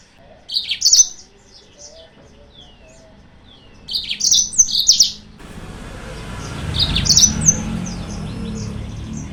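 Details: Yellow-fronted canary lure song meant to provoke rival birds. Two clear bursts of sharp high twittering are followed by softer song half-buried under a rising rumble of background noise.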